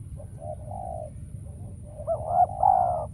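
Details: Decoy spotted dove calling during trapping, wild doves now scarce and none appearing: soft low coos, then a louder rolling two-part coo phrase near the end, over a steady low rumble.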